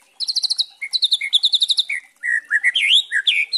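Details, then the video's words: Spotted trotol white-rumped shama in Kretekan style, a lure to stir other birds into song: quick clusters of repeated high chirps, then sweet slurred whistles rising and falling, some V-shaped, in a lively varied phrase. "Pancingan murai trotol memancing emosi variasi Kretekan bikin murai trotol gacor full isian"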